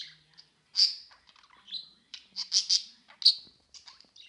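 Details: Several pet budgerigars at play give scattered short chirps and harsher squawky notes around a bright high pitch, some loud, some faint, with irregular gaps between bursts.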